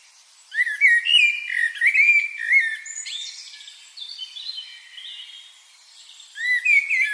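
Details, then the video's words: Bird chirping in bright whistled phrases: a run of clear, slurred rising notes repeated about twice a second, a softer twittering passage, then the whistled phrase returns at the end. "birds chirping sound"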